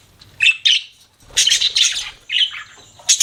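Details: Budgerigar giving two short sharp chirps, then a longer scratchy warble and a thin high whistle, against a quiet background.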